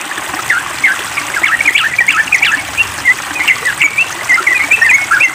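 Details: Noisy yellow-vented bulbul in full song beside running water: a lively stream of warbled, twisting notes and short chirps, several per second.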